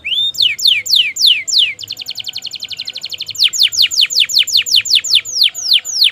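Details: Canary singing long 'gacor' phrases for training silent birds: loud downward-sweeping whistles, a fast even trill, then strong descending slurred notes repeated about twice a second.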